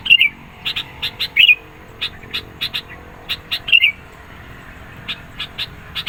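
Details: Sooty-headed bulbul in energetic, persistent song used to provoke rivals and lure birds: three short slurred whistled phrases about every 1.7 seconds, with rapid dry ticking chips scattered between them and a steady faint background hiss.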